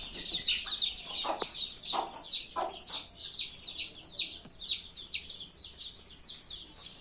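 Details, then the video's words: Many chickens calling together on a farm: a busy stream of high, quick, downward-sweeping peeps, roughly two a second, with brief lower clucks in the first half. "Hen sound effect"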